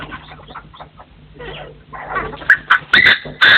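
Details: Partridges in forest, recorded 2024, crowing: after soft mixed chatter, four loud harsh bursts come in quick succession over the last second, with a steady low hum underneath.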